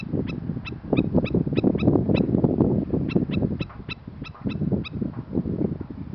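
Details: Black-necked stilt in Princeton, Texas, on 19 April 2021, crying a warning, probably at the recordist: sharp nasal yelps repeated about three times a second in two bursts, over heavy wind rumble on a windy day.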